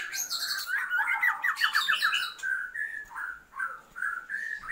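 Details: Female Oriental magpie-robin calling to the male to raise his breeding drive, with a buzzy chattering run of quick notes giving way to spaced, sustained whistled notes.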